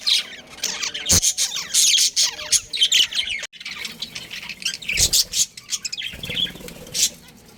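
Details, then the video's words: Pet budgerigars, a breeding pair, giving dense high chatter mixed with harsh squawks and short twittering phrases, broken by a few brief pauses and occasional sharp clicks. "Cute Budgies Chirping Sounds"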